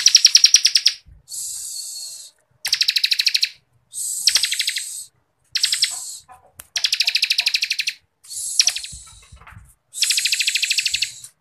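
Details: Ciblek kristal (Bar-winged Prinia) delivering tight 'ngebren' song as tutor material for contest songbirds: a long series of short, high-pitched trilled bursts, rapidly pulsed, alternating with thinner hissy phrases and short silences.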